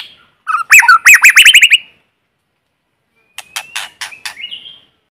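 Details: White-rumped shama decoy singing in forest: a fast series of repeated arched, ringing notes, a pause, then clicking notes under a thin steady whistle that rises at the close.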